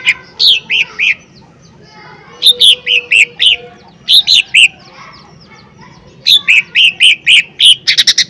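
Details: Lesser green leafbird singing an energetic lure song meant to trigger other birds: clusters of three to five bright, slurred whistled notes separated by short pauses, ending with a quick chattering run.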